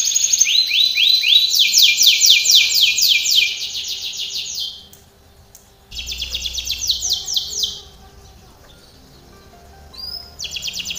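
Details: Canary training song, loud fast rolling trills broken by near-silent gaps, with a short whistled note and a further burst of trilling.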